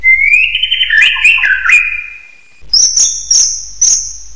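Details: Hill myna whistle that rises smoothly, then breaks into warbling, quavering notes, falls silent, and returns with a very high, thin, sustained whistle with slight dips.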